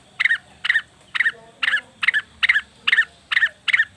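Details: Cucak wilis or rengganis leafbird calling to lure wild birds: nine evenly spaced harsh double-noted chatter calls, about two per second, clean background.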